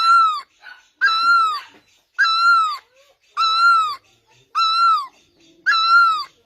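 A great barbet gives six loud, mewing, slightly rising-then-falling wails, about one per second, with no other sound in the background.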